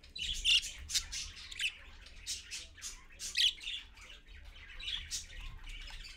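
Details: Parakeets, a parent with young, recorded at 6:20 AM on 4.1.15 from a live camera: scattered harsh high squawks and chirps come at irregular intervals over a low background hum.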